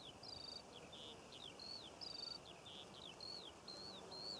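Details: June skylark song above Cornish poppy fields: high whistled notes alternating with buzzy rattled phrases in a lively, varied sequence, little low-frequency noise.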